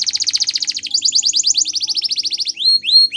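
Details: Gloster canary singing training song: clear rapid series of high rolled notes, a faster tour then a slower one, followed by a few rising whistled slurs.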